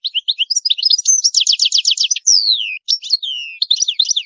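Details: Goldfinch song in the high maqamat style: quick high twittering leads into a rapid, rattling trill, followed by sweeping descending whistles and more jumbled, tinkling chirps.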